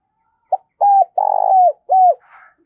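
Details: Decoy spotted dove calling to lure and train birds: a short clipped note followed by a steady mid-pitched coo, a long rough, pulsing coo falling at its end, and one more level coo, with faint scratchy noise after.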